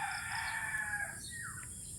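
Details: Rooster crowing on a quiet morning in the Philippine countryside, far from traffic and people: a long drawn-out crow that holds steady, then slides downward near its end, with faint bird calls in the background.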